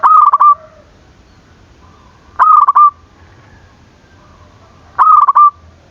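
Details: Zebra dove calling to provoke rivals: three evenly spaced coos about two and a half seconds apart, each a crisp stuttered burst of notes flowing into a brief rolling purr.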